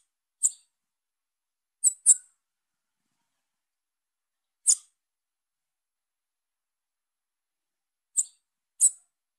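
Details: Young female Bananaquit giving six thin, high squeaky call notes, two close pairs and single notes, with long quiet gaps and no other noise.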